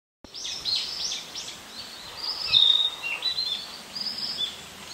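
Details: Narcissus flycatcher recorded on an Olympus PEN mini E-PM2 camera: a busy run of high, clear whistled and slurred notes, several phrases back to back across five seconds over a steady hiss of background noise.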